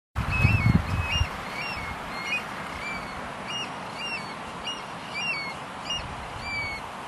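Eurasian stone-curlews give shrill, wailing whistles, rising then falling, repeated several times a second with overlapping higher notes. A brief low rumble opens the recording.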